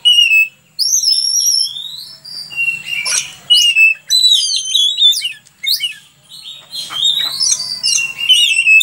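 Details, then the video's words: Oriental magpie-robin in full gacor song for masteran: a continuous rich medley of high whistles, warbled slurs and sharp clicks, varied phrases with hardly a pause. "Burung Kacer Gacor untuk Masteran"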